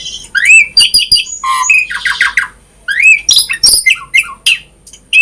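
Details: Asian pied starling, used as a model to get other starlings singing: a short burst of harsh squawks, a rattling series of descending notes, then bright whistled and chattering phrases, recorded indoors.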